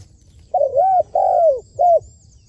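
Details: Trained decoy spotted dove, caged on a rooftop for luring wild doves, voicing a soft hollow coo sequence of a doubled note, one long drawn-out falling coo and a brief closing coo.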